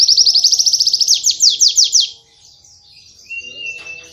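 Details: Cage white-eye singing rapid canary-like training song: a fast high trill slowing into five or six spaced, descending slurred notes, then quiet with one thin steady whistle.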